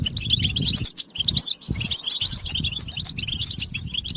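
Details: European goldfinches in group chirping meant to push silent males into song. Rapid overlapping high twitters and buzzy notes run throughout, with bursts of low thumping or flapping noise underneath.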